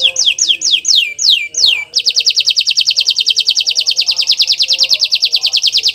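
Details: Canary singing energetically ('gacor'), recorded as a tutor track to prompt other canaries to sing: six loud descending whistled sweeps, then a long, very fast, high buzzy trill of even repeated notes, with a faint lower tone underneath.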